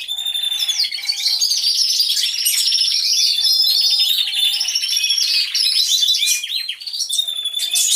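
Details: Canary chorus in an aviary recorded by a hidden camera: continuous rapid high trills and warbled phrases from many birds at once, with a few short lower whistled notes mixed in.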